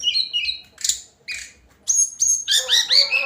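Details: Hill blue flycatcher daily song: paired warbled notes, a burst of noisy chirps, a thin high whistle, then a fast rich cascade of looping notes.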